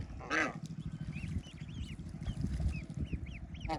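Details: Baby ducks playing in water on a rural farm: a faint series of short, high, down-curving peeps repeated irregularly, with one brief louder call near the start, over a constant low hum.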